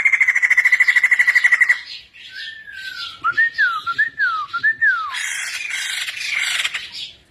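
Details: Aviary-kept white-crested laughingthrush in loud full song: a rapid run of pure whistled notes repeated evenly for two seconds, then slurred, looping whistles rising and falling, ending in harsher, noisy chatter.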